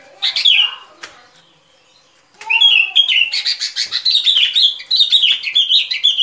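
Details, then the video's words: Lure song of a sooty-headed bulbul for bird trapping: one quick liquid phrase, a brief silence, then a sustained string of fast, rhythmic whistled notes that rise and fall. "Tiếng Chim Bông Lâu Mồi Chuẩn Mp3 || Âm Thanh Đi Bẫy."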